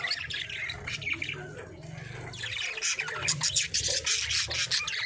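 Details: Budgerigars in steady chatter, rapid scratchy chirps and warbled twitters repeated about three times a second, growing denser and louder toward the end, with a faint low hum underneath.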